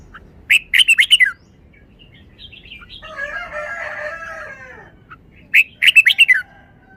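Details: Cage-kept red-whiskered bulbul in phleng pa song style: two loud bursts of rapid, bright chattering notes about five seconds apart, with a rooster crowing in between and a quiet background.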